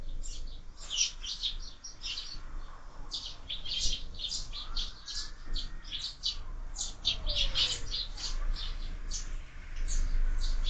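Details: Several sparrows fight at a window feeder during year-round bird feeding, producing dense, rapid, high chirping about four notes per second. Light background noise throughout.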